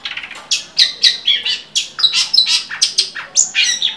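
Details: Long-tailed shrike song, used as a tutor recording to train other songbirds; loud, harsh, scratchy notes delivered in a rapid, steady chatter of about four bursts per second, with no other clear sounds.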